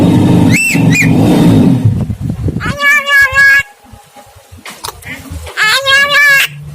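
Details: Javan myna, locally jalak kebo, singing vigorously ('gacor') in the 'bido kelik' style. A man speaks first. Two bursts of loud, nasal, harmonic calls follow, each about a second long, with wavering pulsed notes and quieter clicks between them.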